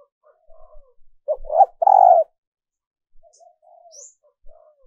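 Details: Hen dove calling to excite males, a lure recording for decoy training: brief low notes build into a strong, burry coo phrase, followed by softer, faint cooing fragments and a tiny high chirp.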